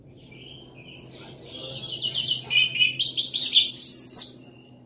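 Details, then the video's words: Loud singing from an Orange-headed thrush, a kept songbird: soft whistles building into a dense run of rapid, varied, chattering and warbled notes, some harsh and buzzy, over a low steady hum. "Anis merah gacor volume keras"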